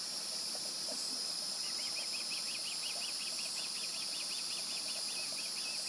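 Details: High, repeated chirping whistles from a fledged young osprey near its nest in mid-July, a fast, even series starting partway in and carrying on to the end, above a dense hiss of insects and noise.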